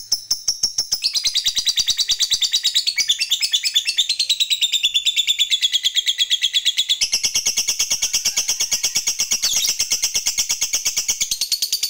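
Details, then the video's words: Long unbroken chattering from a lovebird provoked by a lure recording: a dense, shrill, buzzy trill of rapid high notes running for about twelve seconds, shifting in texture partway but never pausing. "Bikin Lovebird Apapun Cepat Narik Ngekek Panjang"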